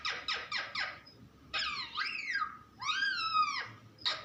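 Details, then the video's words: Pet parrot talking: four quick rasping sweeps, then a drawn-out, bending harmonic phrase, a higher wavering phrase, and a short closing note, heard indoors. "Funny parrot talking video | mitthu videos | mittu ki awaaz"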